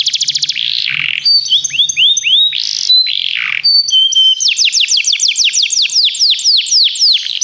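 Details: Begie canary song for training: a rapid trill, buzzy swoops and steady whistled notes, then a long run of sharp descending notes repeated several times a second.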